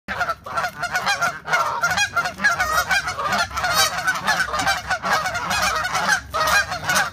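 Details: Geese fighting: dense, harsh overlapping honks and squawks, loud and irregular throughout, several birds calling over one another in rapid bursts with brief gaps.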